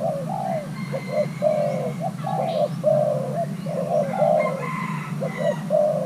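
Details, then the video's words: Thai hybrid spotted dove, young male being paired, gives a rhythmic string of soft coos, short clipped notes alternating with longer ones, plus faint higher chirps and a persistent low hum. "Kích xem nước chơi của gáy thái lai trống tơ đang ghép đôi"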